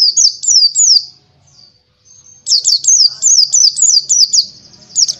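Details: White-eye (Zosterops palpebrosus buxtoni) singing vigorously on a training recording: very high, thin, down-slurred notes in three spaced phrases, a short pause, then a fast run of about nine quick repeats, over a faint low hum.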